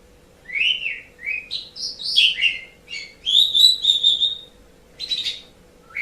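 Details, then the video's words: Asian pied starling used as tutor song for pet birds, delivering a lively sequence of slurred whistles, buzzy chatters and a drawn-out warbled phrase, followed by short harsh notes. "Suara Burung Jalak Suren"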